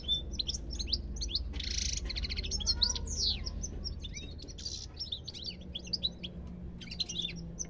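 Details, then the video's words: European goldfinch in full song, quick chattering twitters mixed with a scratchy buzzing burst and a long descending slurred note, then more lively chirps, low steady hum beneath. "ربع ساعة من تغريد طائر الحسون"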